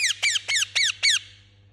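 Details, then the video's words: Angry parrot making five quick, shrill, buzzy chirps that each slide downward, evenly paced about a quarter second apart, then dying away into a faint steady hum. "Angry Chirping Parrot Sound"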